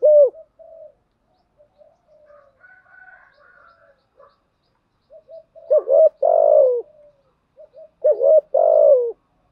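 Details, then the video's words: Decoy-stirring spotted dove calls in the thúc gù and gáy gọi styles: soft low murmurs and faint coos at first, then two loud phrases of rising coos and a long buzzy croo that drops away. "Tiếng chim cu gáy mồi giọng lôi cuốn hấp dẫn đủ bài[ THÚC GÙ , GÁY GỌI ]"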